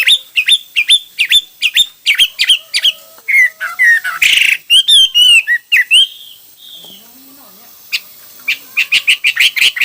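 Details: Hwamei delivering a rich, varied song: rapid repeated sharp notes, tumbling slurred whistles, a brief pause, then another quick run of crisp repeated notes.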